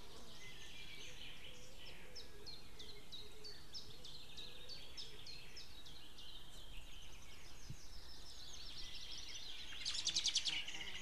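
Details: White-tailed eagles recorded 2 May 2016 just before noon, a female calling with a male farther off outside, both calling; a long series of high, sharp yelping notes repeated about three per second, with steady background hiss and a brief rattle near the end.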